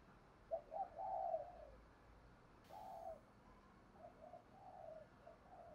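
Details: Male and female spotted doves calling together, used to stimulate caged birds in training; soft low hooting coos, a rolling multi-note phrase early on, then shorter coo groups repeating through the rest, over faint background hiss.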